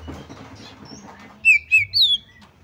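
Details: Female Oriental magpie-robin calling, the call used to lure other magpie-robins into singing: three loud, clear whistled notes in quick succession, wavering then sliding downward, after a quiet start with faint low background hum.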